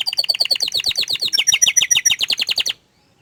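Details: Canary singing shyly while hidden from view: a fast, regular series of bright, ringing notes, about thirteen per second, with slurred rising and falling elements, then silence.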